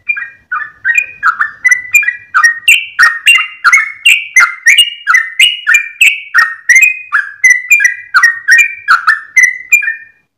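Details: Sooty-headed bulbul's long 'ropel' dawn song: a fast, unbroken stream of short whistled notes with click-like starts, pitch stepping up and down, steady for ten seconds with no other sounds.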